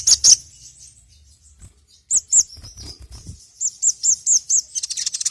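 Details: Sogon (sogok ontong) sunbird lure sound: high, slurred chirps, first a quick pair, then a steady run of about six evenly spaced notes, ending in fast twittering, with faint low knocks in the background.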